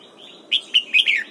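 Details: Red-whiskered bulbul singing in the morning while being trained in the wild-style double-note song: a quick phrase of four loud, warbled notes that bend up and down, over a faint background hiss.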